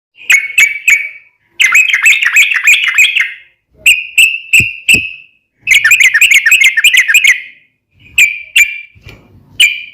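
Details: Yellow-vented bulbul in energetic song used for daily training of cage birds; bursts of bubbly, warbling notes alternate with short clear whistled phrases, separated by brief pauses, all loud and close.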